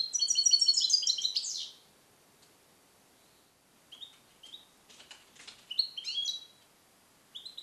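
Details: Male European goldfinch, captive-born in 2021 and song-trained with Neapolitan passages, isolated in a carrier cage; a loud dense rattle of stacked high twitters ends in a sweep, followed by scattered short chirps and a few clicks.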